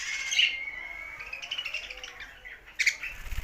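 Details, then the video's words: Budgerigars singing, a long buzzy warble with a sharp squeak at the start and a chirp near the end. "Budgies Sounds for Lonely Happy singing"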